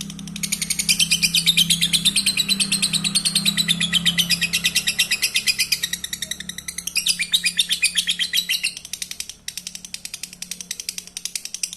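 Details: High, fast lovebird chatter meant to stimulate breeding: unbroken rapid twittering, many notes per second, shifting slightly in pitch, with a steady low hum beneath.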